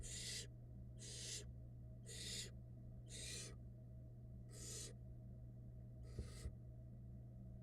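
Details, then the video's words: Barn owl nestlings in a Florida nest box during a feeding by the female: six rasping hiss bursts at about one-second intervals, the last fainter, with two small knocks and a constant low drone. "Female barn owl feeds her little fluff ball nestlings"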